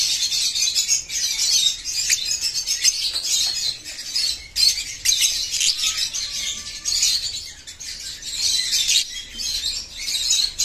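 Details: Many bird chicks cut off from their colony chirp together in a constant, high-pitched, shimmering chatter, with brief louder bursts and a few faint lower tonal notes beneath.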